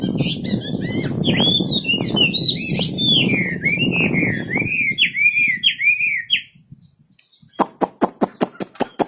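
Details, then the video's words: Wambi bird singing over a loud, low rumbling background: bouncing, looping whistled notes repeated in quick succession, then quiet, followed by a run of sharp, evenly spaced clicks. "Burung wambi istimewa gacor full"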